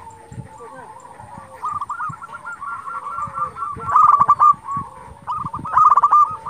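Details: A local zebra dove sings hard to provoke rival doves, with long rippling runs of hooked coos broken by two loud bursts of fast clipped notes, over low background knocks.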